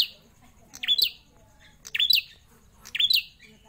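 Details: Prinia kept in a cage for more than four years gives three loud, bright, squeaky chirped notes with a rising-falling twist, spaced roughly a second apart.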